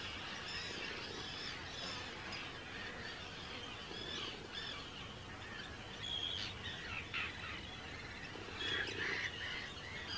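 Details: Large breeding colony of Arctic terns, Rottumerplaat, the Netherlands, 4 June 2023, hundreds of birds close by; continuous din of grating, rasping calls with a few louder piercing notes rising above the crowd near the end.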